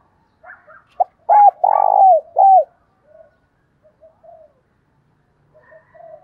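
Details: Decoy spotted dove luring wild doves with thổ đồng-style cooing: a few soft notes, a clipped note, then three deep coos with a long throbbing centre, followed by quiet scattered calls.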